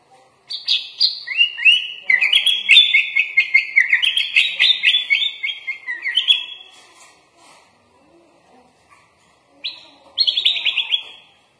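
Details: Sooty-headed bulbul (kutilang) in a masteran recording with full 'isian' fill phrases: seven seconds of rapid chattering, trilled phrases stepping between high and mid pitch, a quiet pause, then a short, bright burst of chatter.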